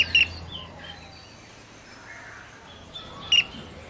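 A Rainbow Bee-eater gives two short, high, rolling trilled calls about three seconds apart, over soft outdoor background noise.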